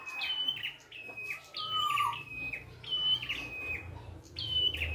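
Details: Wild prinia in full song: repeated bright chirp phrases stepping downward, a drawn-out lower whistle, and a faint low rumble underneath.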